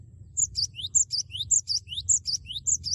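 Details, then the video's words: Loud Cinereous tit song, 'wucit wucit' style, sung to provoke a rival into singing: continuous rapid run of high, sharp phrases, each a bright whistle, a dipping note and a rising slur, about twice a second. "Gelatik batu gacor suara lantang wucit wucit merangsang lawan agar ikut bunyi gacor"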